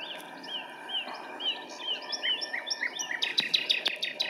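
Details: Common nightingale song recorded 26 April 2017 at RSPB Pulborough Brooks: repeated short down-slurred whistles in quick succession, building to a fast, loud series of sharp clicking notes at the end, with a faint rural background hum.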